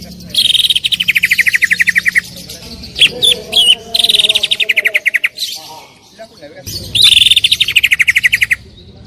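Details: Greater green leafbird singing loudly for song tutoring: long rapid series of clipped notes falling slowly in pitch, interrupted by sharp whistled phrases, then another fast trill.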